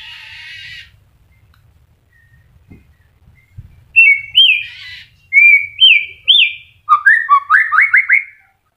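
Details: Moulting caged white-rumped shama: a harsh buzzy note, quiet stretch, then clear rising whistled notes and a fast descending series of slurred notes.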